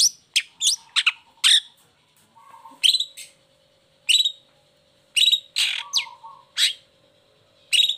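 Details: Caged long-tailed shrike uncovered and singing as a lure to get lazy or moulting shrikes to sing: sharp, scratchy high notes in quick clusters with pauses, plus a couple of short low buzzy tones.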